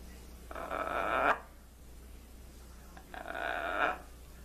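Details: Trained blue-and-gold macaw kept as a pet, imitating crying. Two sustained, rasping, whiny wails each last nearly a second and are separated by a pause of almost two seconds.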